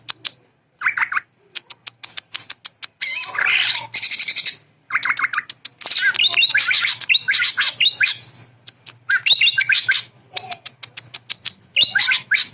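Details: Long loud sequence of sewing-machine filler by a greater green leafbird, mixing rapid clicking runs, squawky slurred phrases and high chattering trills, with brief gaps between bursts.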